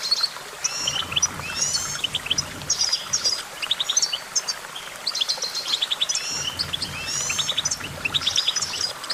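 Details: Goldfinch song: continuous, bubbly high twittering with bursts of rapid chirps and liquid slurred notes, plus faint low background rumble and hiss.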